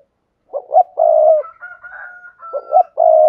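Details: Spotted dove giving its urging coo (thúc gù), used to train newly caught young doves to coo: low, hoarse, throaty phrases of two short notes and a longer drawn coo, repeated after a soft pause.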